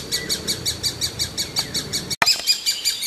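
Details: Great spotted woodpecker chick, always hungry, keeps up rapid shrill begging chirps about three per second; a brief cut and a sharp click interrupt the series, with some low background rumble early on.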